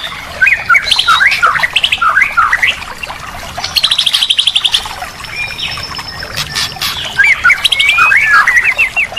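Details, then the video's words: White-rumped shama song used as therapy to restart a bird that has stopped singing: bursts of quick whistled and slurred notes, a buzzy high rattling passage midway, then more rapid varied phrases, against a soft background hiss. "Masteran Terapi murai batu mogok bunyi dijamin langsung bunyi lagi"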